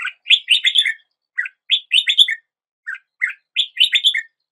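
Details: Song of a Red-whiskered bulbul, three similar cheerful phrases each a quick cluster of warbled, slurred notes, separated by short gaps with a lone lower note before each.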